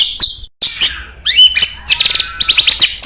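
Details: White-rumped shama (murai batu) song, played to stir up rival birds: rapid high chattering and sweeping whistled phrases, bursts of trilled notes repeating quickly with brief pauses, no other sounds.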